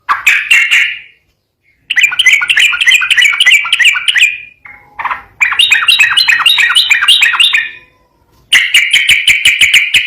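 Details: Yellow-vented bulbul in full 'ropel garuda' song, clearly recorded: long runs of fast chattering notes, one phrase pitched higher than the rest, broken by brief silences and a short lower note.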